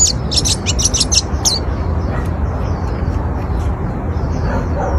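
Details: Oriental white-eye song used to lure other white-eyes: a rapid burst of high, thin chirps and twittering notes over the first second and a half, then fainter high notes, over a steady low rumbling background.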